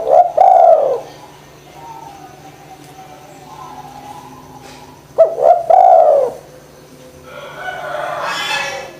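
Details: Spotted dove used as a lure to stimulate lazy doves to call: a short rounded coo opens, then after a pause a paired coo with quick upslurred start; faint hiss and other soft bird sounds at the end.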